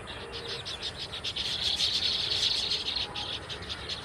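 Baya weavers chatter in a dense, high, buzzy chorus of rapid chirps, swelling in the middle and fading toward the end.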